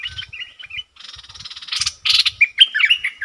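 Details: Caged bulbul used as a decoy for wild birds, giving a rapid buzzy chatter that swells louder, followed by several clear, sharply bending whistled notes.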